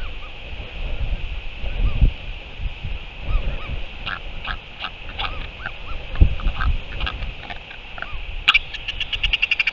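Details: Northern royal albatross returning to feed its chick, recorded 01 05 2023: soft arched chirps over low rumbling wind, ending with a loud rapid pulsed harmonic rattle near the close.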